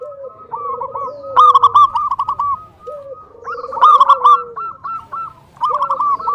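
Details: Zebra dove of local stock singing as a lure to stir rivals and draw other doves into song. Trilled, bubbling coos come in three main bursts, and lower drawn-out coos from a second bird fill the gaps.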